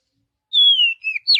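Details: Oriental magpie-robin, natural forest song: a long sweet whistle sliding gently downward, a short warbled note, then a sharp falling slur.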